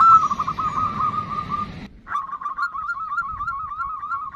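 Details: A female zebra dove (perkutut) calls the male with a continuous rolling, wavering trill of quick notes, first over a noisy, hissy background, then clearer after a brief break.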